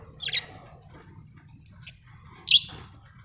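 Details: Budgerigars kept as pets at home give two short, harsh chirps about two seconds apart, with quiet background hum between.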